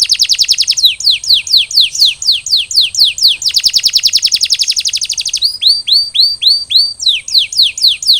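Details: Canary song for recovery after the molt: loud quick descending chirps repeated in a long series, a stretch of densely packed notes, then slower hooked downward whistles recurring near twice a second.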